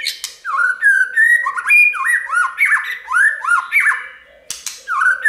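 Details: Multi-voiced white-rumped shama song played to prompt other birds to sing: loud, varied whistled phrases with swooping, arching notes in quick succession, a brief pause near the end, then a fresh phrase.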